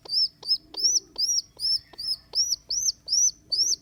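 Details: Squeaking from a rescued baby rock pigeon on its second day after being abandoned: piercing, arched whistles repeated nearly three times a second, with clicks at the start of each note.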